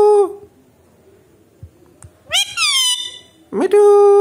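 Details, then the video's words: Talking Alexandrine parakeet indoors, a pet that speaks Hindi: a nasal voiced word ends, then a harsh falling screech, and a loud sustained nasal syllable rising into a held tone. "Talking Parrot / Bolne wala mitthu"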